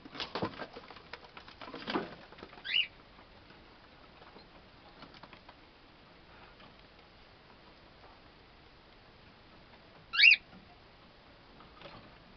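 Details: Two 8-week-old cockatiel chicks in their own cage, July 24, 2010, give two short, shrill chirps ten seconds apart amid soft scratching and rustling.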